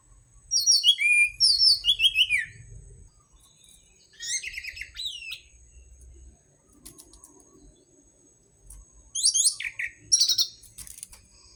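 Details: Orange-headed thrush song, played to prompt caged birds to sing: clear, high, tumbling phrases of descending slurred notes, separated by pauses of a few seconds, with a faint steady hum.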